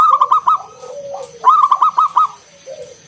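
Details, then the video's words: Local zebra dove singing 'ngalun kung bulat', played to coax other doves into song: two quick runs of five or six rich coos, separated by a lower drawn-out coo from another dove. "Suara NGALUN Kung Bulat - Perkutut lokal gacor"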